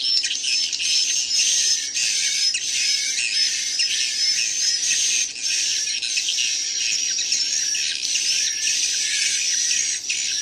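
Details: Swiftlet chicks in a playback recording that may include adult swiftlet sounds: an unbroken wash of high, close-packed chirps and squeaks, loud and soft together, with faint whistled notes threaded through for ten seconds.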